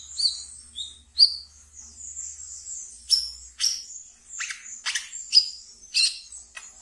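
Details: Ngeriwik song of a pet brown-throated sunbird, used to lure and settle newly caught birds: short high slurred notes at first, then a run of sharp, buzzy, downward chips at uneven intervals.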